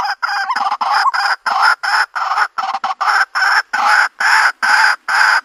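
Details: White-breasted waterhen calls used to lure birds into a trap in the countryside: a fast series of loud, blaring, raspy croaks, each block-like and harsh, repeated a bit more than twice a second.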